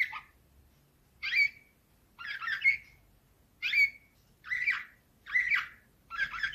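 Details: Canary of the Slavujar (nightingale-style) song type, 2024: short separated bursts of buzzy, chattering notes with brief whistled slurs, delivered about once per second with quiet pauses between, in a quiet room.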